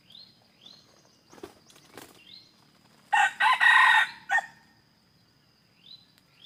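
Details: Red junglefowl crowing, used as a decoy to lure wild junglefowl, recorded 17 May 2021: one loud, harsh, broken crow lasting about a second, then a short extra note. Faint high chirps of small birds and rustling steps surround it.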